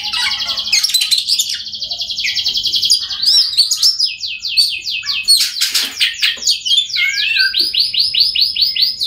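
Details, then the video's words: Oriental magpie-robin song played to get silent birds singing: long sustained whistled notes near the start give way to rapid repeated buzzy trills and sweeping phrases, loud and continuous throughout. "Kacer Bisu, Dijamin Bunyi Setelah Mendengarkan Suara Kacer Ini.."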